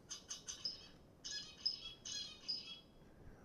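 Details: Zebra finch song, a roughly one-second repeated motif of three to seven short syllables: short buzzy, nasal syllables then longer harsh buzzes at a quick, regular pace, with sharp high tones laced through.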